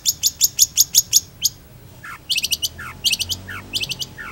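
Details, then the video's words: Long-tailed shrike singing energetically: a fast series of bright, high chattering notes, then lower downslurred whistles mixed with scratchy clusters of notes in an uneven, mimic-like flow; faint low hum behind. "PENTET GACOR ANTI GALAU"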